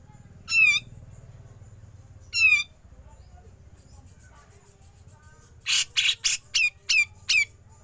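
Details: Grey-cheeked bulbul calls used as a training recording for songbirds: two high, ringing, quavering notes a couple of seconds apart, then a quick sequence of harsh rasping bursts and sharp clipped notes.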